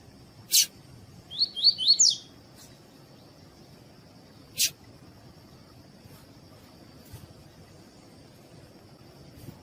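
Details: Double-collared Seedeater in captivity, tuí-tuí song style, with a female calling, played to warm up males: one brief run of four sharp rising whistles, two loud clicks and a faint steady high tone, otherwise quiet.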